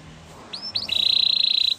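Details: Belgian canary song fragment: a couple of short rising whistled notes, then one long even rolling trill held for nearly a second before a fresh note begins.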